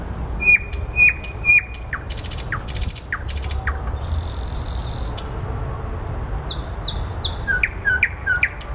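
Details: Common nightingale in flowers, opening with three loud whistled notes, then descending slurred whistles, rapid rattles and high buzzy trills, finishing with short rising chirps.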